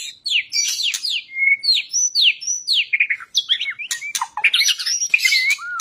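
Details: Caged white-rumped shama in an aggressive, energetic fighting style. Rapid varied song of sharp down-slurred whistles and clear notes, then dense buzzy trills and scratchy phrases.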